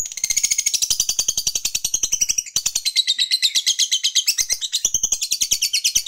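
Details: Provoking ngekek of a lovebird fighter: a long, hurried chatter of shrill grating notes with a short pause near the middle, then the rapid rattling pulses pick up again without a break.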